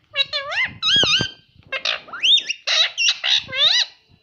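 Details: Indoor talking parrot repeating "mummy" and "papa": a dense string of wavering, voice-like syllables with swooping pitch, delivered almost without pause, plus faint handling knocks.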